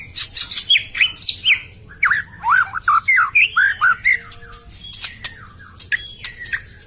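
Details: White-rumped shama lure song for a caged bird that has gone quiet after moulting: fast, varied whistled and slurred notes in quick succession, several swooping up and down, thinning into softer scattered notes.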